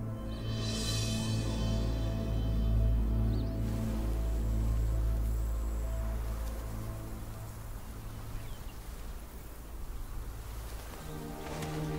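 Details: Dark, droning documentary music with sustained low tones and a swelling high shimmer, with no animal sound.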